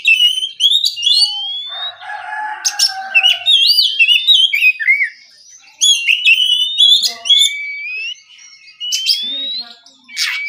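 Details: In the morning an oriental magpie-robin sings relaxed ngeplong phrases: long clean whistles gliding upward, sharp chips and twitters, a low buzzy tone early on, and pauses between phrase groups.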